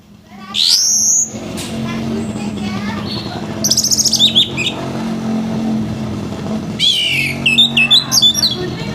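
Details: Orange-headed thrush singing roughly in the morning to trigger song in others: a long loud whistled note, later scratchy bursts and a final quick series of twisting, grating phrases above a steady low hum.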